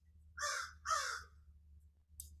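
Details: Crow calling during a rainy morning bird sit just as a rainstorm ends: two harsh, rasping caws about half a second apart, over a low steady hum, with a brief faint hiss near the end.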